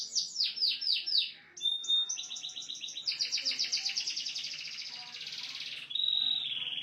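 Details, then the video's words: Canary song in the cililin variation: quick repeated falling notes, a brief pause, then a long fast rolling trill that thickens into a high buzzy chatter and closes with a steady shrill trill. "kenari std kecil variasi suara cililin"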